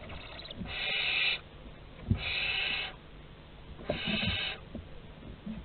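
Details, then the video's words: Barn owls at a Théding nest box, France, on 30 August 2020, giving three long, harsh, breathy hisses of about half a second each, separated by pauses, with faint shuffling and bumps between them. "Bisous à 3 - 30/08/2020 - Les Chouettes Effraies de Théding"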